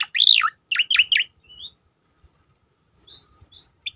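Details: Loud tembakan burst of a striated grassbird, used as a training and provoking recording: a strong arched whistle-chirp followed by three rapid descending chirps, then soft thin high whistles.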